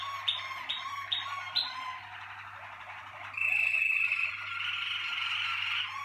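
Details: Malinois Waterslager canary of a 2019 team sings four spaced, clear whistled notes, each rising then falling, then breaks into a long buzzy rolling trill that keeps going, with faint low hum behind.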